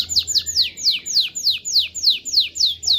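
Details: Canary song meant to stimulate mating: a steady series of about eleven loud descending sweeping notes, evenly spaced and clear.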